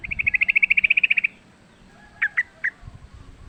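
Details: Wild sooty-headed bulbul in fighting song, kept as lure sound: a fast, even rattling trill of about fifteen notes, a brief pause, then three separate sharp whistled notes, with low background noise.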